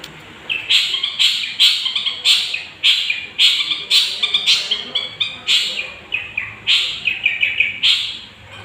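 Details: A young long-tailed shrike, used as a lure to stir up other birds. It keeps up a rhythmic chattering song of short scratchy notes, repeated roughly every third of a second, with occasional whistled slurs.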